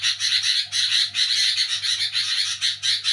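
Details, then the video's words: Sooty-headed bulbul calling noisily at night: a continuous, fast, grating chatter of rough pulses about two per second, with a faint low hum underneath. "Di Saat Orang Pada Tidur Burung Kutilang Bunyi Nyerecet ribut di malam Hari"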